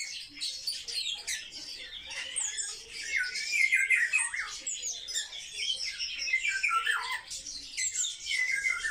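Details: A group of kept sparrows, social birds watched at close range, calling nonstop: rapid, irregular high chirps and squeaky notes pile over one another, swelling louder toward the middle.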